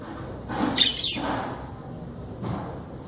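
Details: Budgerigar, small pet bird of the parrot family, utters one brief, twisting, high squeaky chirp with a softer trailing note, then a faint later call over low room noise.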